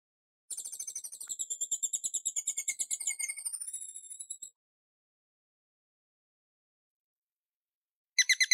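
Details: Hummingbird producing a long, rapid stuttering buzz of very high, sharp pulses for about four seconds, then silence and a final burst of high notes.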